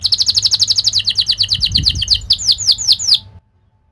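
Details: Canary song used for training young birds, fast and sharp: rapid repeated chirping notes in a rolling series, slowing into several louder downward-swept whistles before stopping abruptly.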